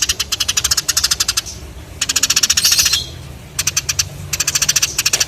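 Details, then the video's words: Sparrow sounds: loud, very rapid bursts of sharp, clicking chirps, about ten a second, come in trains of one to one and a half seconds separated by short quieter gaps. There is a faint low hum in the background. "The sound of sparrows/Burung Gereja Gacor"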